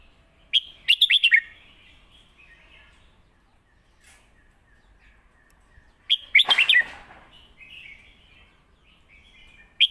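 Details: Caged Red-whiskered bulbul from Thailand's bird-singing competitions giving a master song alternated with lak wai, recorded to teach chicks: two rapid five-note whistled phrases, the second overlapped by a short harsh noisy burst, with a faint thin whistle between.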